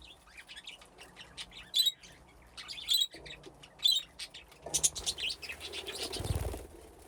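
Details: Budgerigars in an aviary with nesting boxes, playing and chirping: bright warbled chirps in short bursts, with a rustle or wing flutter late in the recording.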